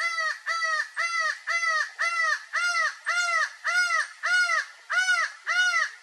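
A laughing falcon gives loud, hoarse, arched notes repeated steadily, nearly two per second, in a long ringing series with no other sounds.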